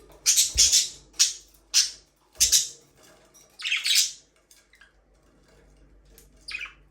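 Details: Budgies calling for a lonely companion bird: a run of loud, harsh chirps and squawks about every half second, then quieter scattered notes and a final rising squeak.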